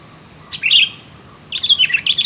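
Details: Sooty-headed bulbul calling amid thicket, used for luring birds: a quick chirpy burst, a pause, then a longer run of lively warbled chirps, with faint steady high hiss behind.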